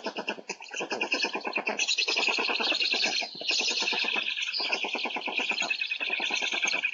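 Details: Black stork chicks on a Polish nest, filmed by nest camera on 3 July 2020, beg to call a parent in with harsh, wheezing rasps, several a second, in a steady, barely pausing chorus; a hawk arrived instead.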